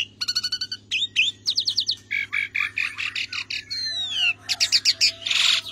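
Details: An Asian pied starling (Javan pied starling) sings a rapid, varied jumble of whistles, chattering notes and harsh squeaks, with a steady low electrical hum underneath.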